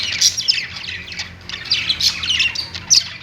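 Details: Budgerigars kept as pets chatter from their perch, giving squawky, scratchy high notes in quick overlapping bursts over a faint low hum.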